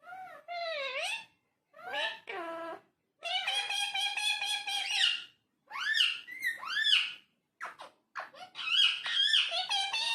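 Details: Parrot chattering in speech-like fashion: wavering, nasal phrases, a long buzzy stretch of stacked tones, and quick swooping whistles run together with few pauses, indoors and quiet behind.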